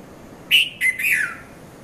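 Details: Morning call of a red-vented bulbul (Konda Kurulla) at Mount Lavinia, Sri Lanka, 5:30–5:40 a.m., filmed with a Nikon Coolpix P510: one quick three-part phrase of bright chirps, with the last note sliding downward.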